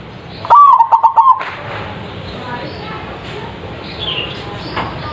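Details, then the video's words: Lure recording of a zebra dove, or perkutut, with a big voice meant to draw answers from other birds: one loud, rapid burst of pulsed coos lasting under a second, followed by faint background hiss. "PANCINGAN PERKUTUT anti GAGAL suara GEDE langsung nyaut.!!!"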